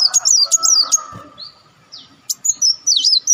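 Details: Lure recording of an Olive-backed sunbird: high, thin, slurred whistles and twitters in short runs, a brief pause with softer notes, then another rapid chattering burst.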